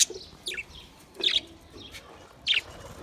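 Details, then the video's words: Budgerigars on 28 April 2023 giving four separate sharp chirps spaced through three seconds, each a quick sweeping note, some sliding downward, with quiet gaps between them. "lovely Budgies birds"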